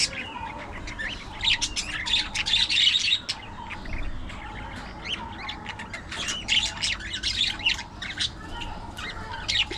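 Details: Busy budgerigar chatter: dense bursts of harsh chirps and buzzy warbling notes rising and falling in loudness for about ten seconds.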